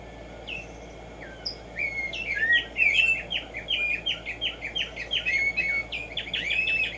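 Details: Black-striped sparrow, known locally as Tumba Yegua or tico tico, singing in the morning: slurred whistled notes near two kilopitch give way to a rapid, bouncing run of short repeated notes over a steady background hiss.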